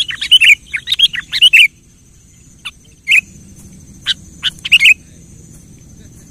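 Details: Lively kutilang song meant to stir a silent kutilang into singing: bursts of rapid chirps and twisting whistled phrases, a short pause, then scattered sharp notes and another bubbly phrase, with a constant thin high-pitched hum.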